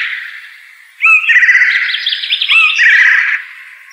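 A blue jay gives a rapid two-and-a-half-second jumble of squeaky whistles, chatter and slurred rising notes over a steady background hiss.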